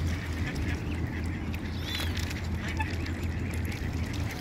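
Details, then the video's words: Quacking ducks on a pond where the adults protect their young: brief nasal calls repeat irregularly over constant low-pitched rumbling, with one thin rising squeak midway. "Duck Sounds - duck quack - Ducks in The Pond - Quacking Sounds Of Ducks"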